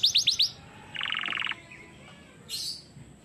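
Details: Canary in song training: four quick sharp chirps, a pause, then a buzzy, rapid rattle for half a second, and later a brief hissy, noisy burst, with quiet gaps between.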